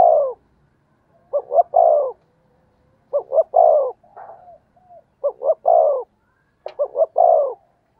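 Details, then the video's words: Spotted dove cooing, a voice wild doves are said to come to; clipped opening notes lead into a long, down-sliding coo, phrases about every two seconds, with softer cooing between. "tiếng chim cu gáy gù hay và vang một vùng, giọng này bổi nghe là về"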